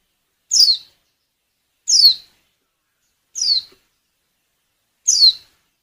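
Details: Female white-eye in breeding condition repeating a short, high, falling call four times, spaced about one and a half seconds apart, a call used to get males singing for luring.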